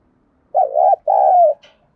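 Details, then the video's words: One loud Spotted dove coo in the 'thúc gù' style used to attract wild doves: two hollow, throaty notes, the second longer and sliding slightly down at its end. "cu gáy thúc gù sung nhất// Tiếng cu gáy cực hay dùng kích bổi tập mồi thì khỏi bàn"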